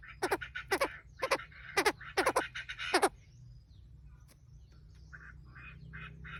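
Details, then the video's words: Male and female Chinese francolins, the recording used as a lure for wild birds: harsh, grating notes in quick doublets and triplets for about three seconds, then near quiet with a few faint, softer calls. "Tiếng chim đa đa trống mái dụ bổi"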